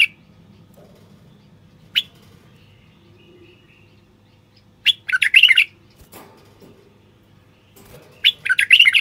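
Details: Male common bulbul song intended to spur wild bulbuls to sing and pair. There are isolated sharp notes and a faint thin whistle, then two loud, rolling warbled phrases near the end.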